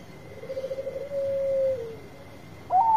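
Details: Bangkok-type zebra dove, a loud-voiced bird singing actively, used to coax reluctant birds into singing: a soft rolling cooing trill flows into a smooth, steady low note that dips at its end, then a brighter, higher note begins.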